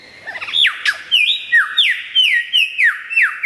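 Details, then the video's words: Loud, clear lyrebird song: a fast run of bright whistled notes, each sliding steeply downward, repeated about every third of a second in a steady, ringing sequence. "suara burung lyrebird gacor"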